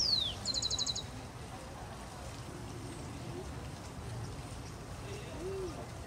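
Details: A Rufous-collared sparrow in Colombia (Chicaque Natural Park or Bogotá Botanic Garden), April 2019, gives a high, falling whistle followed by a quick, dry trill of about half a second, over a steady low background rumble.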